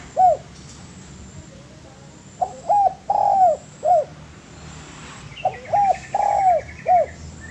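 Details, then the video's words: Spotted dove singing on a bird-training master track: a single soft coo, then two full phrases of short hollow coos around a long, bowed croo. A buzzy trill from another bird overlaps the second phrase. "MASTERAN DERUK"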